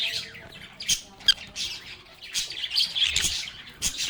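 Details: Harsh, scratchy squawks and clipped chirps from lovebirds at play, coming in uneven bursts that grow busier and louder toward the end.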